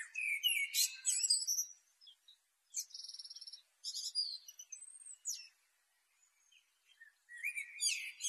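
Black flycatcher song: high, quick chirps and twitters with whistled notes and a short buzzy rattle, delivered in bursts with brief pauses.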